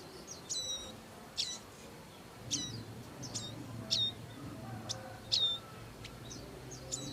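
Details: In the wild, a bar-winged prinia pair looking after their young calls with crisp high chirps, many ending in a short downward slur, repeated about every second in a steady run.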